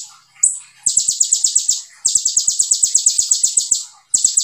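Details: Olive-backed sunbird (konin) opening with one high whistled note before two rapid trills of crisp, regularly pulsed notes, about eight per second, in its tembakan style.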